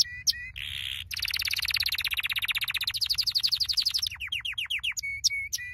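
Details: Canary training song: chirps and a buzzy burst, then a long accelerating series of rhythmic notes, a run of descending slurs and clipped high chirps.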